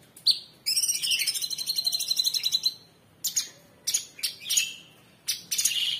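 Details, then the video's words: Caged Orange-bellied Leafbird, cucak cungkok, giving its gacor tembakan song, used as a master recording for training cage birds: a long rattling trill of high, fast-repeated notes, then short separate sharp chirps and bright whistled phrases. "Tembakan Cucak Cungkok super gacor ❗ Masteran Terbaik"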